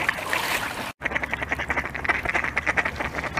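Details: Khaki Campbell duck calling: a run of short, nasal quacks repeated rapidly after a brief gap, with a noisy, hissy background throughout.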